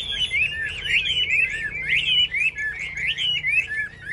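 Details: Caged Chinese hwamei singing in a contest, with a dense, continuous run of rich warbled and slurred whistles, fast twisting notes packed tightly together for the full four seconds, and faint low room hum beneath.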